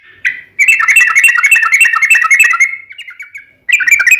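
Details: Chattering 'ropel panjang' roll from a sooty-headed bulbul used as a lure for other bulbuls: a single note, then a fast run of bubbly whistles lasting two seconds that trails off. A fresh burst starts near the end.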